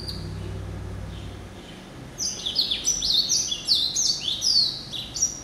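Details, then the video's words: Hybrid finch from a yellow-eyed canary and Timbrado pairing, a male hatched in November 2012. After a quiet start, a lively run of quick, high, zigzagging notes continues to the end. "Hybrid Finch ...Yelloweye & Timbrado"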